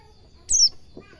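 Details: White-eye song used to train caged birds to sing: one very high, thin, sharply descending chirp, with faint low background noise.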